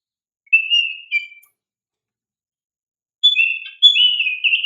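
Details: Oriental magpie-robin (kacer) song used as a lure to stir young birds to respond: two bright whistled phrases, a steady clear whistle then a rising, warbling run, separated by about two seconds of silence.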